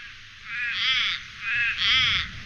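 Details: A Little Raven in Canberra gives two harsh, nasal caws about a second apart, each short and clipped with a thin, tinny edge; its shorter tone is what separates it from the Australian Raven's longer one.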